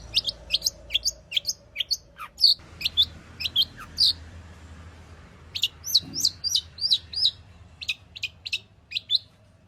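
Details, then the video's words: Long-tailed shrike (pentet) singing a full repertoire meant to draw out singing: spaced sharp high chirps and short downslurred whistles over a soft background hiss. "burung cendet gacor FULL ISIAN pancingan Cendet AGAR BUNYI Cendet Bongkar Materi"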